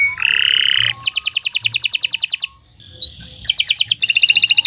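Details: Canary in non-stop morning song used to train other birds: a harsh nasal buzz, then a fast even trill, a brief lull with a single whistle, and two further rapid pulsed trills.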